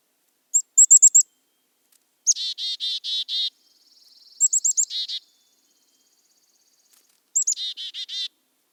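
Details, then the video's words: A black-capped chickadee in Ontario, present in both winter and summer, gives its name-like chickadee-dee-dee call three times: high, thin opening notes followed by a run of buzzy, harsh dee notes. "And chickadees say their name, chickadee dee dee, chickadee dee dee."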